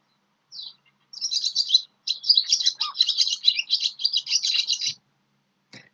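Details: Barn swallow (Hirundo rustica), call.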